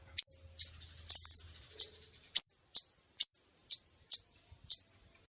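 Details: Female brown-throated sunbird call, used as a lure to draw males close for netting: sharp, high, clean chirps, about ten in five seconds, one broken into a quick stuttering trill, with no other sounds.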